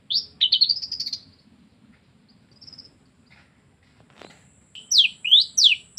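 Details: Long-tailed shrike mimicking canary and lovebird: bursts of rapid, high, squeaky chirps, a quiet gap with a few faint notes, then three loud rising chirps close together near the end.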